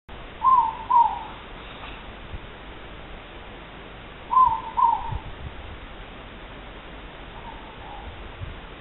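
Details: Two moreporks (ruru) calling on 3 August: clear two-note hoots, each a slightly higher first note then a lower falling one, given as pairs at about 0.5 and 4.4 seconds, with a fainter distant pair near 7.5 seconds, over a steady low hiss.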